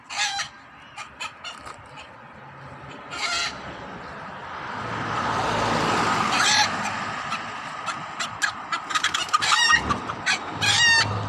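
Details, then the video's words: Hens cluck in short, sharp bursts, sometimes in quick runs, while a passing vehicle swells and fades in the middle. "Funny Hen Noises"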